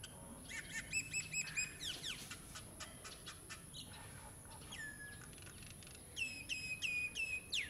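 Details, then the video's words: A common myna (Acridotheres tristis) at its nest site in an old utilities box in Ipoh, Perak, Malaysia, gives a varied run of chattering, whistled and clicking notes, some rising and gurgling, over a steady high hiss. "Common Myna (Acridotheres tristis)"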